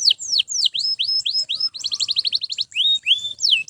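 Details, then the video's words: Canary song, loud and continuous, meant for training other canaries: a string of falling and rising whistles, a fast chattering trill midway, then more long slurred whistles. "Canto de Canário Gritando Sem Parar – Ideal para Encorpar Outros Pássaros!"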